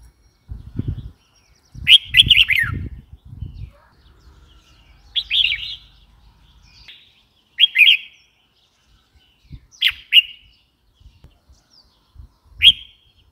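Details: Red-whiskered bulbul giving a series of short chirping and warbled notes, some single, some in brief phrases, spaced irregularly, with low thumping noise early on.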